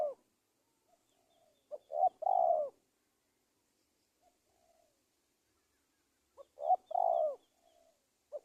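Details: Spotted dove call played as a trapping lure for wild doves, Indonesia: two cooing phrases several seconds apart, each clipped double notes and a drawn-out descending coo, with faint high chirps of another bird.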